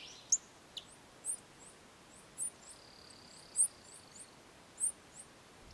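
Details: Many-colored Chaco Finch in Sierra de las Quijadas National Park giving thin, very high chips about once a second, with a faint level whistle partway through, over quiet rural background hiss.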